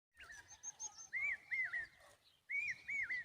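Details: Common babbler calling to protect its young: loud whistled notes near mid pitch that swoop up and dip down, given in short bursts with a brief pause, faint higher chirps and soft low background rumble.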